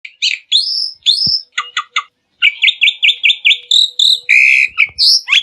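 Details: Black-winged myna song used as a lure to get other birds singing: bright whistled phrases and buzzy chatter, a run of quick repeated notes in the middle, then harsher rasping notes at the end; no other sounds.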